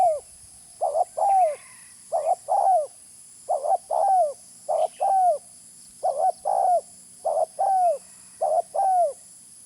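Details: Repeated lure call of a spotted dove, about seven coo phrases in under ten seconds. Each pairs a clipped, tremulous note with a longer descending coo. A few faint chirps of small birds sound in the background.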